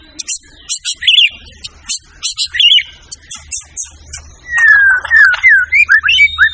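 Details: White-rumped shama song for training songbirds. Rapid trills and buzzy high notes come in short bursts, followed by a sweeping series of slurred, falling and rising whistles at a lower pitch.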